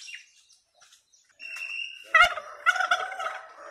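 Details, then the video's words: Pet turkeys at play give a few thin high notes, then a burst of loud, rough, rattling gobble-like calls with a second quick burst shortly after. "TURKEY BIRD SOUNDS"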